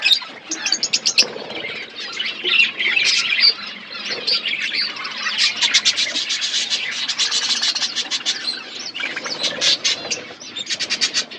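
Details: A group of budgies chirps while eating food, producing long runs of rapid clicking chatter and buzzy warbles, with brief quieter spells between the louder bursts.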